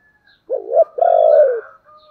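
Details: Spotted dove, thổ voice style, urging and calling coos: a quick throaty double-humped note followed by a long, full coo easing downward, then faint trailing tones and scattered high chirps.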